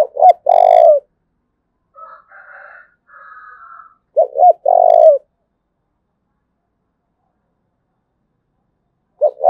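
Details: Spotted dove from Đồng Nai, Vietnam, calling in thúc bổi style: repeated low phrases of two short notes and a long coo, roughly four seconds apart, with faint higher wavering sounds in a gap between.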